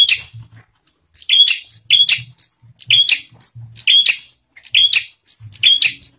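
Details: Bar-winged prinia gives a lure song used to provoke other prinias into calling, repeating a bright, buzzy, high phrase roughly once a second, each with sharp chipping notes; a faint low rumble sits underneath.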